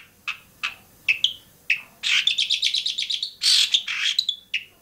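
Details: Long-tailed shrike in Bobotsari: a few separate, sharp chips, then a fast rattling chatter and loud, harsh, grating bursts, ending in whistled notes, over faint background hiss.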